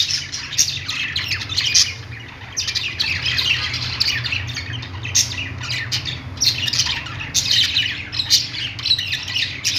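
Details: Playing budgerigars kept as pets chatter nonstop with rapid high chirps and short harsh squawks in overlapping bursts, backed by a low constant hum.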